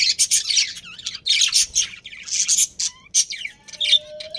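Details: Breeding pair of budgerigars in a colony, giving loud grating squawks and warbled chirps in clustered bursts, with a few thin whistled notes and a long faint steady tone toward the end.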